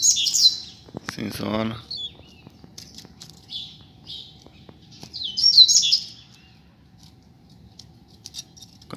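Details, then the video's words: Double-collared seedeaters, a pair kept outdoors, giving high chirpy song phrases. A person speaks briefly near the start, and later comes a bright rapid twittering burst. "Casal de Coleiro na Rua - Muita Fibra e Canto!!!"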